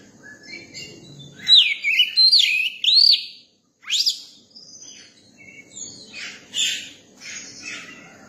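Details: Young Oriental magpie-robin song: loud rising-and-falling whistled loops, a sharp downward-sweeping note after a brief pause, then softer buzzy chatter and scattered high chirps.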